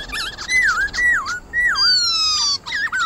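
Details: White-cheeked laughingthrush, wild-style song played to stir captive birds: clear whistles dropping then rising in V-shaped slurs, with one long high descending whistle.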